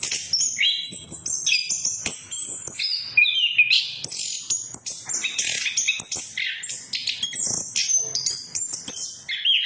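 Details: Orange-headed thrush song used as a lure to make silent birds sing: rapid varied whistles and sharp chirps jumping between high and very high pitches, densely packed with brief slurred notes and mimicked phrases.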